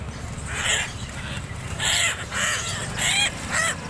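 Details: Helmeted friarbird from Sumbawa, a still-untrained young bird, giving loud, harsh, nasal calls in irregular bursts about once a second over a steady low background rumble.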